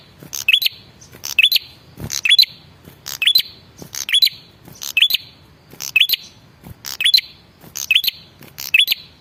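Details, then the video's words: Lure call of a male red-headed prinia that is meant to get other birds answering. About ten rhythmic phrases, each a harsh burst followed by a high rising tweet. "suara pancingan burung prenjak kepala merah jantan"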